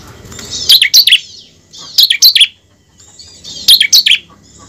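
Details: High, sharp bar-winged prinia song meant as a singing lure for kept birds: three tight clusters of three to four staccato chirps, roughly one and a half seconds apart, with soft hiss between.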